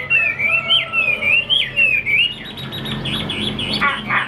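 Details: Chinese hwamei kept as a songbird: a fast run of clear, wavering whistles rising and falling for about two seconds, then softer, scratchier notes against a low background hum.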